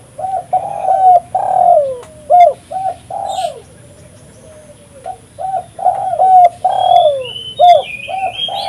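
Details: Spotted dove in strong voice, used as a lure and decoy for trapping; two matching phrases of clipped low coos, a long descending coo and short closing notes, a soft trailing note between, distant high whistles.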